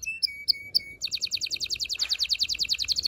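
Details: Canary song meant to excite mating in males and females. A few bright separated chirps lead into a fast, even trill of high notes, about ten per second, held steadily to the end.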